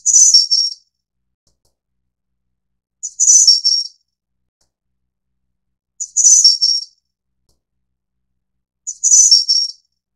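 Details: Four evenly spaced, high, tinkling whistled phrases about every three seconds from a Snowy-browed Flycatcher (Taiwan endemic subspecies innexa). Each opens with a short note, swells into a jingle, then fades, in otherwise silent surroundings.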